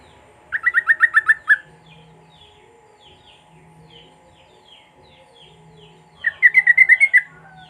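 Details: Sooty-headed bulbul singing lure song with cucak rowo material, used to prompt silent bulbuls to sing: two rapid bursts of about seven bubbly whistled notes, separated by five seconds of soft chirps over a steady low hum.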